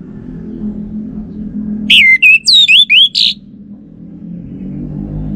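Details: Orange-headed thrush lure song for provoking a male to answer. A burst of six twisting whistled notes, some swooping up, others down, over a steady rumble like passing traffic.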